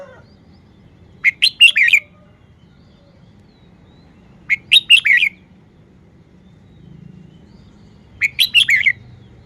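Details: Red-whiskered bulbul kept in a cage, singing a showpiece song style: brief chirpy whistled phrases of about four notes, each rising then dipping, spaced three to four seconds apart against low background hum.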